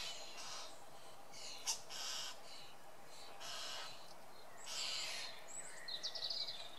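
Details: Common starling (Sturnus vulgaris) at its nest cavity on 25 May 2013, giving harsh, hissing rasps in bursts about a second apart, ending in a quick run of thin, high whistles over a steady background hiss.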